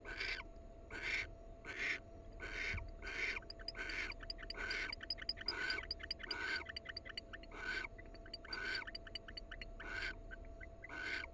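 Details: Wild barn owl pair, free to come and go. Rapid run of harsh, hissing screech bursts, roughly one every second, with faint high thin chirps between some bursts and a steady low electrical hum behind.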